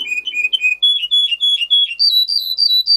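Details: Russian singer canary, bred for singing and used to teach canaries, running through quick lower warbled notes, then clear flat whistles, then higher whistles that dip slightly, all in fast succession.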